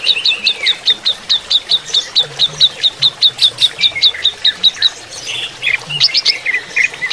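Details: Greater green leafbird during running-water therapy, repeating sharp high notes steadily, about two or three each second, then breaking into varied twittering chirps.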